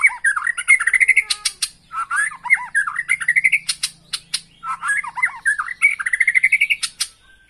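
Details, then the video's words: White-rumped shama song used as a lure to make a kept bird sing persistently and show its repertoire: rapid varied phrases of rising whistles and harsh buzzy notes, sharp clicking bursts, repeated in three bouts with short pauses. "PANCINGAN MURAI BATU AGAR BUNYI NGOTOT DAN BONGKAR ISIAN"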